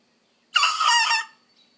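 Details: Young Leghorn rooster, an Easter hatchling, practising his crow: one hoarse, raspy, harmonic-rich cry lasting under a second, rising then trailing off, in otherwise quiet surroundings.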